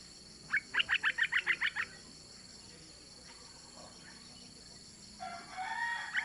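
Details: A female yellow-vented bulbul calls the male with a quick burst of about nine sharp, evenly spaced chirps, followed by quiet and then a faint warbled phrase amid a low background hum.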